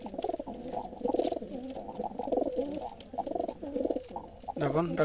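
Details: Several wild Jalali rock pigeons, birds that feed in the fields, coo together in low, throaty, rolling phrases that overlap one another.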